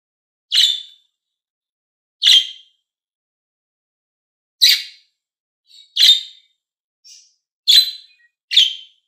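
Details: Pet budgies, green and blue, give seven harsh chirps at irregular spacing, with a few faint short squeaks in between.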